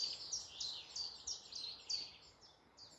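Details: Bird singing in morning woodland near Malton, North Yorkshire: clear, very high, sharp notes repeated about three times a second in a steady phrase, the background otherwise quiet.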